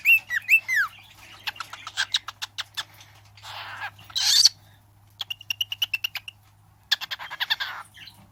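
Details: Pet bird almost one year old, imitating its owner's sounds: rapid clicking chips and short whistled notes in bursts, with a breathy hiss in the middle and a steady low hum underneath.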